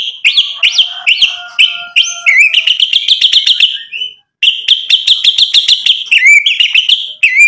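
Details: Energetic white-rumped shama song used to provoke rival birds: repeated bright whistled notes with a faint lower tone beneath, followed by dense, fast trills and twittering, and a sharp upslurred whistle near the close.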